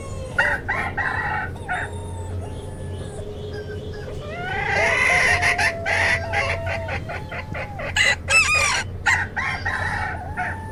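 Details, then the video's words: Flock of chickens of mixed kinds: many birds calling at once, with short clucks and cackles overlapping long, drawn-out, harmonic crowing notes that rise and fall. A steady low hum sits underneath. "Âm thanh bầy Gà"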